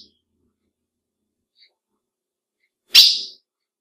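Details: Female ultramarine grosbeak call meant to excite males: after nearly three seconds of quiet, a single loud, sharp, high chip note with a fast decay.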